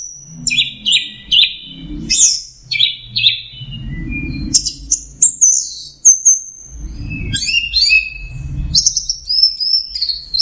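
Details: Orange-headed thrush (anis merah) pouring out teler song: varied repeated whistled phrases, high squeaky notes and a long thin whistle, later busy chattering trills, over low rumbling background noise.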